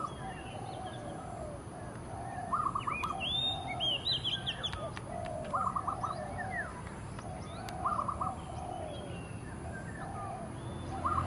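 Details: Territorial early-morning song of an Oriental magpie-robin, brief trilled phrases repeated about every two seconds among softer cooing notes, scattered high whistles from other birds and constant low background noise.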